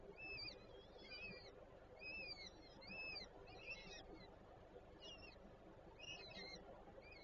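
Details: Peregrine falcon at a nest with three chicks in Warszawa Żerań, Poland, 25 April 2024. Faint series of arched, rising-falling calls repeated roughly once a second, with higher overtones, over a steady low background rumble.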